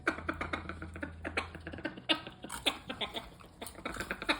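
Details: Parrot producing strange sounds in a small room: quick percussive clicks and snapping pops in irregular bursts, a few sharp squeaky accents, and a low hum during the first half.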